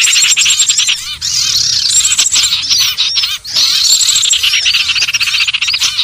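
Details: Lure recording of common iora for trapping, high and busy: rapid twittering and buzzy chatter mixed with clear slurred whistles, steady, with brief dips around one and three seconds.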